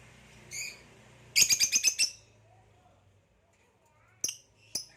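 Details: A captive green hybrid male Nyasa lovebird, its rump purple, kept with a Nyasa lovebird: a short burst of rapid high chirps, then two isolated sharp chips, in a quiet room.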